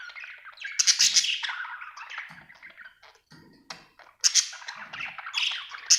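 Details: Budgerigar kept as a pet, described as happy, giving scratchy chattering chirps in two loud bursts separated by a quieter gap, with faint low thumps beneath.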